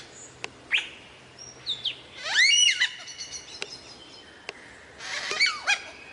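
A lyrebird runs through a varied medley: sharp clicks, thin high whistles, and two loud arched, ringing phrases a few seconds apart, with a quiet background.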